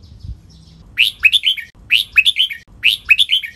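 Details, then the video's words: Red-whiskered bulbul training song of the doubled 23-note counting style, used to teach captive birds. Bright, bubbly, high whistled phrases of four or five quick slurred notes repeat about every 0.9 seconds, crisp and clear over a low hum. "นกกรงหัวจุก | เสียงร้องเบิ้ล 23 นับดอก คมชัด 100% ไว้ฝึกนก (เสียงฝึกร้อง)"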